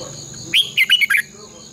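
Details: Red-whiskered bulbul giving a loud, clear competition phrase in the long twisted double-voice style, used as decoy song for training caged birds: four rapid, rolling, whistled notes, with a steady high insect-like whine behind.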